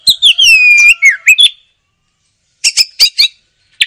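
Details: Oriental magpie-robin song in lively, chattering style: a rich falling whistled phrase with clicks, then a pause and a short run of harsh, scratchy notes.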